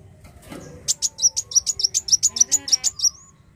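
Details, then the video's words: Black sunbird (kolibri wulung) singing a quick train of about a dozen sharp, very high chips that alternate in pitch, finishing with a thin rising slur; a soft knock is heard before. "Kicau Merdu Kolibri Wulung Gacor Narung"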